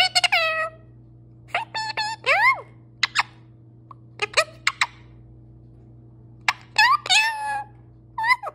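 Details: A pet parrot chatters in a long stream of talk, with bursts of varied squawky, word-like syllables, sliding tones and short clicks, broken by brief pauses over a faint steady hum.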